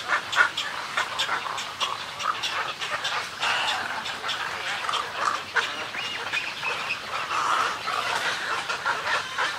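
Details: Colony of snowy egrets heard medium close: a steady babble of coarse, throaty squawks and grating croaks from many birds, with short louder outbursts among the overlapping calls.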